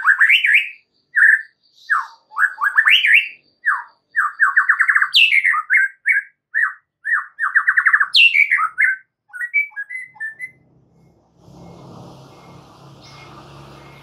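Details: White-rumped shama singing in gacor style as a master recording for training caged birds: rapid varied phrases of rising whistles, chattering trills and slurred notes, pausing briefly, then ending in a low rumbling background noise.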